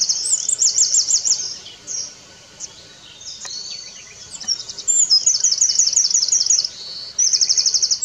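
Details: Eurasian wren (Troglodytes troglodytes), song.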